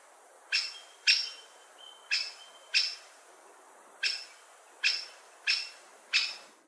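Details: Great spotted woodpecker repeating short, emphatic 'kik' calls, eight in under seven seconds, spaced irregularly, with a thin faint whistle in the background.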